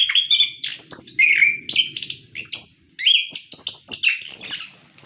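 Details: Orange-headed thrush singing, used as a lure to prompt captive birds: fluent varied warbling with steady whistled notes, buzzy trills and sharp high phrases, nearly unbroken.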